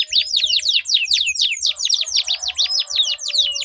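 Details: Two duelling canaries sing long rolls used to coax other canaries into song; rapid downward-sweeping whistles repeat throughout in a fast, even rhythm, with faint low knocks underneath.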